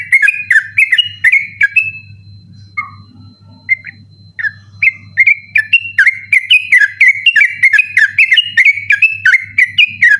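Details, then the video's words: Night-time 'ropel' song of a sooty-headed bulbul used for training birds: fast whistled phrases, a brief pause with a few lower isolated notes, then a renewed dense rapid burst of bright chirps; steady low hum. "burung trucukan ropel ngotot dimalam hari cocok buat masteran ropel malam"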